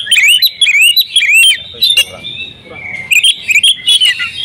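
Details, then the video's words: Female oriental magpie-robin kept at home, singing eagerly and unloading its fill-in repertoire: quick clear whistles rising and falling in short bursts, a level whistled note near the middle, then more rapid chirpy phrases. "KACER RUMAHAN IKUT GACOR BONGKAR ISIAN SERTA NGOTOT || KACER BETINA"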